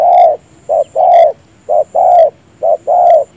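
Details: Loud, close spotted dove decoy bird, lowering its chest as it coos, used to lure doves into traps: three rich paired coos, a short note and a longer ringing one, in quick even rhythm.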